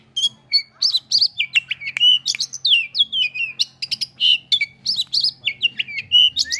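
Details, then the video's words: Agitated oriental magpie-robin reacting to a rival delivers a dense, continuous song of quick whistled, rising and falling slurs mixed with harsh squawky notes and chips, over a steady low background hum. "burung kacer emosi ketika lihat lawannya"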